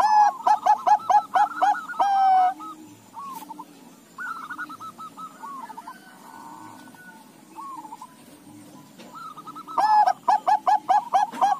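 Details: Crossbred Bangkok-local zebra dove answering other doves: a loud burst of quick staccato coos opens, softer distant cooing follows, then another loud rapid series near the end.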